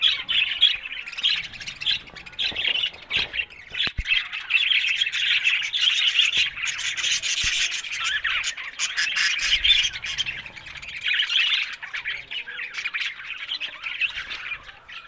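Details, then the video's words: Many budgerigars chattering together in a continuous rasping, scratchy warble with no breaks, thickening in the middle and easing toward the end. "Amazing Talking Happy Budgies Sounds"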